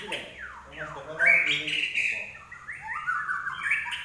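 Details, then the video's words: Common iora singing 'gacor': two quick downward-sliding whistles open the phrase, then a long bright whistled run that wavers before dropping and rising again. "larwo Gacor"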